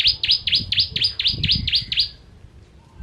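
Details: Bar-winged prinia (ciblek kristal), a tutor bird for training songbirds: eight bright, shrill downswept notes about four per second, with low knocking sounds underneath.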